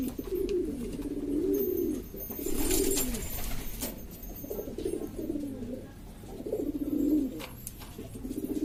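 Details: Several kinds of domestic pigeon kept by bird hobbyists in East Lombok, Indonesia, a rowdy flock producing bursts of deep, rolling coos in waves separated by short lulls, with occasional clattering knocks.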